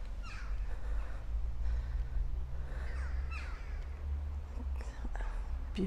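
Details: Crows, as the listener thinks, in Falkland Palace Garden: harsh, hoarse caws, a few spaced a couple of seconds apart, over a steady low rumble of wind or outdoor noise.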